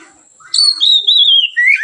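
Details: White-rumped shama singing relaxed, as a lure for other birds: a single long, pure whistle starting high and sliding gently down, then a quick upward note.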